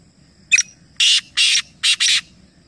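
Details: Black francolin in Nawabshah, interior Sindh, Pakistan, in a calling competition of three birds at once, giving its harsh, grating call: a short opening note, then four loud rasping bursts in quick succession over a faint low rumble.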